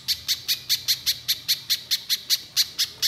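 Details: Orange-bellied leafbird singing in full voice, long phrases: an unbroken string of about fifteen sharp, high, evenly spaced chip notes in three seconds, loud and clear over quiet background.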